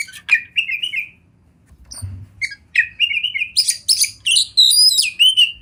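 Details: Oriental magpie-robin from the wild, near river and forest, delivering short whistled phrases separated by a quiet gap, then a faster sequence of sliding whistles and high buzzy trills, about two to three notes per second.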